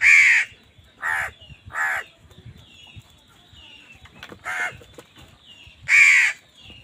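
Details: Crows squabbling over food with other wild birds; five harsh caws, the first and last loudest, spaced unevenly, with faint twittering between them.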